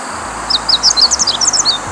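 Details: Meadow bunting at Himawari-no-Oka Park, Ono, Kita-Harima, Hyogo, Japan, with sunflowers in bloom on a cloudy day, delivering a quick, high jumble of thin chirping notes, a dozen sharp phrases within about 1.5 seconds.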